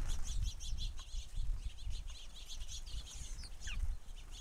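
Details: Many house sparrows crowded at a feeder give rapid, rhythmic chirps in steady pulses, several birds at once, with a couple of rising squeaky notes near the end and low rumbling beneath.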